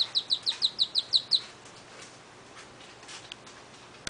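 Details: Rescued Mallard duckling gives a fast run of about nine high, thin peeps in under two seconds, then falls quiet apart from a faint click.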